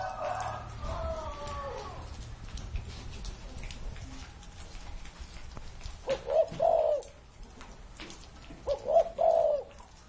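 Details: Spotted dove aged over thirty years cooing twice near the end, each a pair of soft hollow notes, against steady rain; a more distant drawn-out crow-like call sounds at the start.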